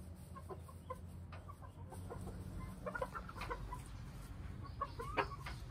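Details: Flock of hens with one cockerel inside their coop, feeding and squabbling as two hens try to lay eggs. Quick clucks and soft chattering notes repeat throughout, some in rapid clusters, over steady low background hum.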